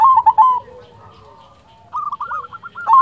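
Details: Silver zebra dove, a local bird kept as a singing model for other doves, gives a loud rolling coo, a quiet gap, then a run of short hooked notes ending in another strong burst.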